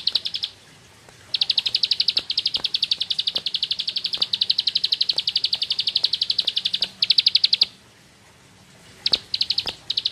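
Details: Ciblek sawah, the bar-winged prinia, delivering ngebren-style song: one long run of rapid, evenly spaced high chips lasting over five seconds, framed by shorter bursts before and after brief silences.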